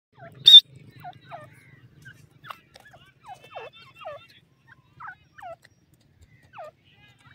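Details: Grey francolin chicks, about ten days old, feeding on green grass: short, clear, downward-sliding peeps, some with a hooked end, repeated irregularly about once a second, with one sharp click early on and a faint low rumble.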